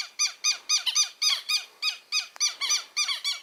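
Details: Southern lapwing chicks, just hatched and already noisy, indoors in a small room: rapid series of high, ringing, down-slurred peeps, roughly three to four per second, steady and insistent, with one short click midway.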